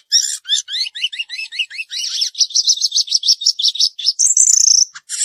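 A Chinese Hwamei sings a loud, rich run of repeated slurred whistles, rising and falling quickly, then ends in a high, fast trill.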